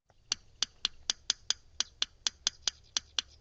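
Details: Yellow rail (Coturnicops noveboracensis) tick call, given mostly at night and carrying a fair distance: dry, stony ticks in a two-then-three rhythm, like two pebbles tapped together, about four ticks a second; otherwise quiet.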